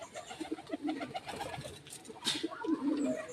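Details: White domestic pigeons, parents of a newly hatched chick, give low, soft, throaty coos in short repeated bursts indoors, with light rustling and a sharp click or scrape.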